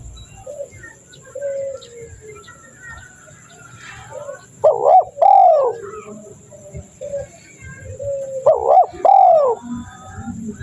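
A Spotted Dove gives its soft, hoarse coo phrase twice, each a few low notes rising to a stressed, drawn-out middle note, about four seconds apart.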